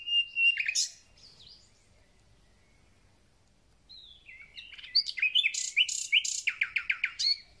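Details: Thrush nightingale in full spring song: a loud opening burst of mixed whistles and clicks, a pause, then a bubbling phrase ending in a fast run of about a dozen sharp repeated notes.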